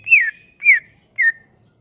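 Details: Sumatran leafbird song as a lure for leafbirds: three clear whistled notes, each slurring downward, spaced about half a second apart.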